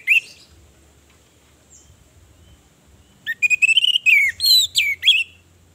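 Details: Orange-headed thrush, a female lure meant to provoke males into singing through mating urge and aggression. A brief whistled note, a long quiet pause, then a rapid burst of high, varied, sliding whistles and chirps.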